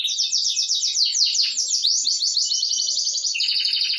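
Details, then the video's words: Canary in full, lively song, an unbroken stream of fast high trills and rolling warbles that shift between pitches, loud and steady throughout. "Burung Kenari Burung Kicau Gacor"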